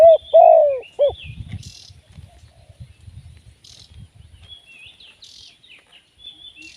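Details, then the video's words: Spotted dove kept as a live decoy bird for trapping, giving a short phrase of low, hollow coos at the start, a long middle note between shorter ones, followed by faint high chirps of small birds and quiet low rumbling. "เสียงนกเขาใหญ่ ต่อสด"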